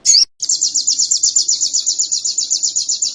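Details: Canary song for training birds: after a short sharp burst and a pause, a high, rapid, evenly pulsed rolling trill runs without a break.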